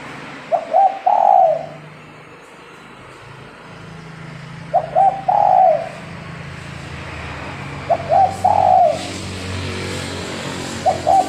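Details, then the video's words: Spotted dove used as a lure for catching doves coos over and over, its phrases spaced about every three and a half seconds. Each is a quick stuttered opening and a longer soft coo, with faint traffic-like rumble behind. "Burung tekukur pancingan"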